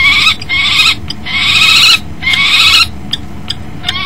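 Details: Kestrel pair at a nest box on 10 February 2012 at 09:13, the male entering and the female landing on the rim before mating; rapid harsh trilled chattering in three bursts of about half a second to a second each, then quiet with faint clicks.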